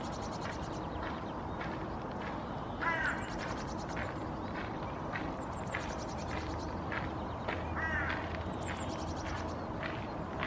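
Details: Nest song of a Hooded Crow female sitting in the nest: two soft, hoarse, harmonic calls about five seconds apart, while small birds keep up high, rapid trilling chirps and a low steady hum continues.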